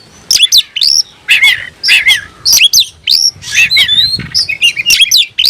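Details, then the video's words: Oriental magpie-robin singing loudly in a rapid, varied series of sharp whistled and chattering phrases with frequent brief pauses, said to be looking for a rival. "suara burung Kacer mencari musuh"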